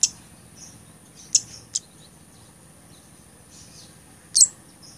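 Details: Blood-breasted flowerpecker used as a tutor and lure sound: a few scattered sharp, very high ticks and one doubled piercing note near the end, with soft faint twitters and a steady high hum between.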